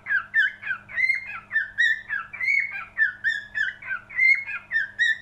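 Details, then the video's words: A cockatiel sings a rapid chain of clear whistles with ringing overtones, the notes wavering up and down in a steady rhythm, while a quiet low hum runs underneath. "Best Cockatiel singing"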